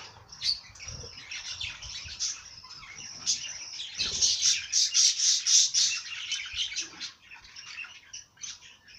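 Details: Bird singing: a rapid high chatter of thin twittering notes, about four per second, swelling louder in the middle, with faint low rumbling in the background.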